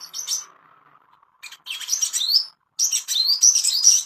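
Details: Ashy tailorbird master song to bring on breeding condition: short bursts of high chirping rising notes separated by brief pauses, with a low faint hum in the gaps.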